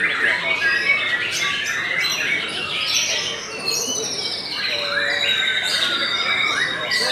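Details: Belanda white-rumped shama song: rich, quick runs of high whistles and sharp chirped notes, with some downward-sweeping phrases and constant background hiss.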